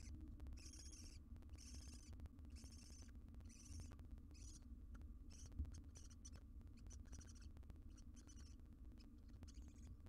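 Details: At a monitored nest box, a wild barn owl repeats breathy, hoarse hissing bursts roughly every second for ten seconds. A steady low hum fills the background and there is a single soft knock.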